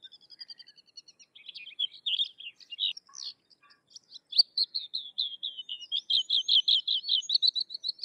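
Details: Sykes's lark singing a fast ticking trill that turns into a long flowing series of slurred whistles and quick repeated chirps, steadily rising in loudness.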